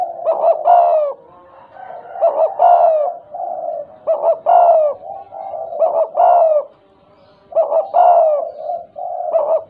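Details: Tame spotted dove with a stuttering coo, frequently calling: low, hoarse coos in repeated phrases of several notes, each phrase ending in a longer drawn-out coo, with short pauses between phrases, about 34 per minute; quiet room.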